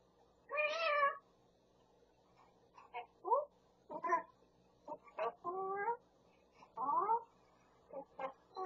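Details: Grey parrot kept as a pet in California, copying a cat, a Pungsan dog and people calling out "yeobo": a string of harsh, wavering, speech-like syllables and squawks, several rising in pitch, separated by short pauses over a faint steady hum.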